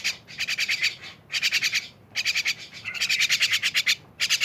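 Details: Mynas in a lively, noisy gathering: dense bursts of harsh, chattering notes about half a second to a second long, each made of rapid repeated pulses, separated by brief pauses.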